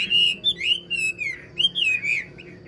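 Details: Wild-caught old Chinese hwamei, a caged bird praised for an excellent voice, singing loud, clear whistled phrases that swoop and slur up and down, in rapid bursts with short pauses.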